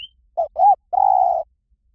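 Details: A Spotted dove phrase in the หลิ่วตัน style, used to coax a bird into answering: two quick low coos, then a longer level coo. A single high chirp comes just before, and it is otherwise quiet.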